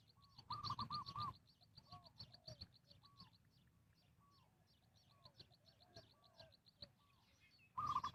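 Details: Spotted dove calling wild birds in during trapping, giving brief clusters of quick rounded coos at the start and end. Between them, faint scattered notes sound under fast, continuous high-pitched chirping.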